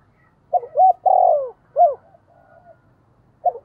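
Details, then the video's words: Spotted dove calling its flock with a loud, clear voice: a few soft mellow coos, a long drawn-out hooting coo that falls at the end, then a short rounded coo. A faint murmur follows, and one more brief coo comes at the end. "tiếng chim cu gáy gọi bầy giọng to rõ"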